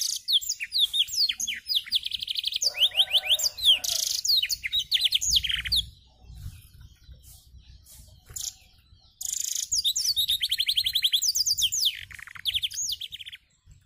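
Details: Canary imitating blackthroat song, wings held open: long varied phrases of fast repeated trills, downward-sweeping whistles and buzzy rattles, broken by a quieter gap with faint wing flutter before rapid trilling returns.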